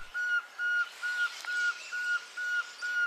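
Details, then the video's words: Pearl-spotted owlet (Glaucidium perlatum) near Lake Baringo, Kenya, calling a steady run of seven level, pure whistled notes, about two per second, against a faint background hiss. "Pearl-spotted Owlet Calling"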